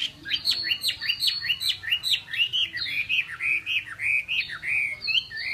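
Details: Chinese hwamei singing continuously: quick, bright, chopped whistled notes in an unbroken stream of about four per second. The phrases twist up and down over a faint low background hum.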